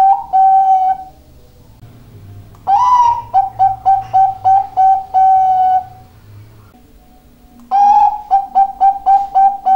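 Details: Bangkok-type zebra dove in full song. A sustained cooing note leads into a pause. Then come two bursts, each a strong opening note followed by a rapid, even train of short, clear coos, with a quiet gap between them.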